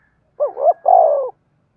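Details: Single coo phrase from a spotted dove with a 'thổ' style voice, used to set other doves cooing: a brief wavering double note, short pause, then a drawn-out low coo that sinks at the end.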